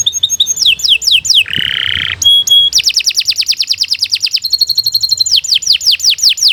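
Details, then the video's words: Canary kept for tutoring young songbirds, singing descending whistles, a harsh buzzy note, then a long steady run of rapid pulsed notes and more falling whistles. "Kicau Burung Kenari II GACOR PANJANG Cocok untuk Masteran"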